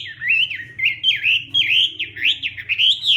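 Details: Hwamei practising its morning fighting song: rapid, clear whistled notes swoop up and down in a rolling, wavering warble for about three seconds.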